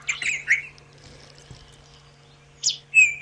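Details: White-throated Robin-Chat at sunrise on 9 September 2016, on a morning safari drive as birds return for summer: two bursts of bright, tumbling, high sweet whistled phrases about two seconds apart, over a steady low electrical hum.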